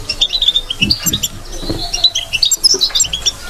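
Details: Batbata-style song of a European goldfinch, a quick run of bright chirps and twittered high notes with brief pauses, over soft low knocking sounds.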